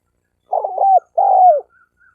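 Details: Wild male spotted doves challenging each other in a fight: a wavering, broken cooing note followed by a long, steady coo that slides downward at its end. The phrase is clean, with a faint extra note after it.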